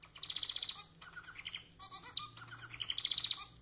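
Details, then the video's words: Pet society finch, Lonchura striata domestica, singing to prompt other society finches to sing: rapid buzzy, stuttering notes in short bursts with a high rattling trill, over a low steady hum. "Vídeo para fazer seu MANON cantar muito!"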